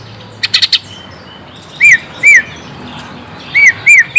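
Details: Orange-spotted bulbul song played to make a young bird answer: a brief burst of rapid ticking chips, then clear arched whistles repeated about every half second in two groups, with low background hum.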